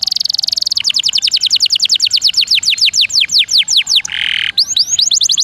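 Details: Rolling canary song used to tutor magpie robins: a steady high buzzy note, then a long series of quick downslurred whistles, a brief harsh buzz, and more rapid sweeps.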